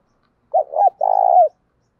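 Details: Spotted dove decoy calling loud and clear to stir up wild birds: a short two-note lead-in, a brief pause, then one drawn-out vibrating coo lasting about half a second, in quiet surroundings.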